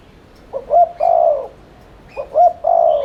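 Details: Rapid continuous cooing ('thúc liên thanh') of a spotted dove, a lure to prompt other doves to coo: two phrases, each a pair of short hoots leading into a sustained low coo.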